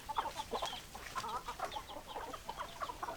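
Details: Hens clucking: dense, overlapping short clucks and chatter in a steady busy stream, with no single caller standing out.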